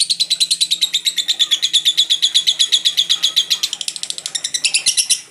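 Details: A very vocal lovebird delivers ngekek song: a sustained stream of fast, shrill, rattling pulses, several per second. It stays steady, then grows slightly higher and scratchier near the end before fading out.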